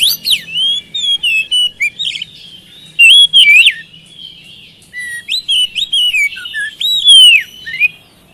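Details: Oriental magpie-robin song used to coax a quiet caged bird into answering; loud whistled phrases in separate bursts, clear rising and falling slurs mixed with short chips, pauses of about a second.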